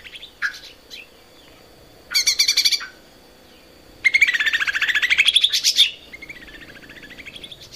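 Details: Lesser green leafbird on a cage-bird training recording: brief slurred notes, then a short harsh chattering burst and a long rapid buzzy trill sweeping up in pitch. A softer swooping phrase follows.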